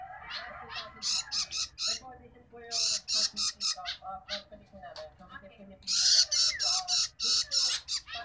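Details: Long-tailed shrike chick begging while being fed: harsh, raspy, broadband squawks in rapid bursts of three to five, about four per second, separated by brief pauses, with softer lower chatter and faint voices between.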